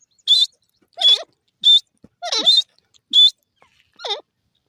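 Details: Grey francolin (desi teetar) calling with short, high whistled notes alternating with lower, wavering notes that slide down in pitch, about six calls spaced roughly every second in otherwise quiet surroundings.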